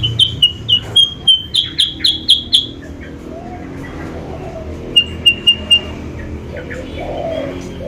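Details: Lure call of a sooty-headed bulbul meant to bring rivals near: a burst of about nine sharp, high chips, then a pause, then four more, with faint low hum behind.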